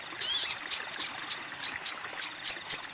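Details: Female Crimson Sunbird calling to a male opens with one longer buzzy note, followed by eight crisp, very high ticks at a brisk, slightly uneven pace.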